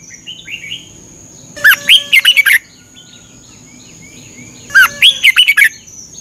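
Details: Caged red-whiskered bulbul in Thailand, a training song played for 30 minutes each morning to help birds learn. Two loud, rich, quick-warbled phrases about three seconds apart, soft chirps between them, and a steady high whine underneath.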